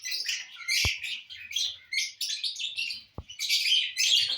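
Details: Lovebirds eating corn on the cob, giving a run of harsh, high chattering chirps in overlapping bursts, with two sharp knocks in between.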